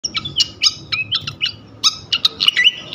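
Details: Flycatcher song used as a lure to provoke other flycatchers into singing: a fast run of sharp high chirps and short whistled notes with quick downslurs, in dense bursts, over faint low background rumble.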